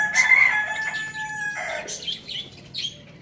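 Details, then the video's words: Rooster crowing in a farm village: one loud, harmonic cock-a-doodle-doo held for about a second and a half, followed by fainter trailing notes and a few small bird chirps. "Amazing chicken rooster crowing sound in the farm village"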